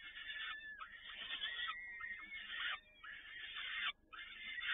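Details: Peregrine falcons in Toruń, Poland, 7 May 2019, both parents feeding: a dense, near-continuous run of harsh, wavering calls with strained harmonic tones, clipped at the top, broken by short pauses around three and four seconds.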